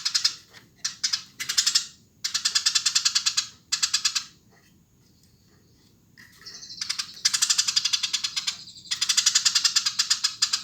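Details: Eurasian tree sparrow in lively song, delivering rapid runs of rough, buzzy chirps in bursts of one to two seconds, separated by short pauses and a few thin drawn-out notes.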